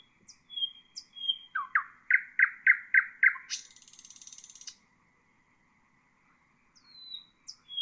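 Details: Common nightingale phrase for training songbirds: scattered high whistles, seven loud repeated notes, then a loud buzzy trill, a silence, and faint whistles returning at the end.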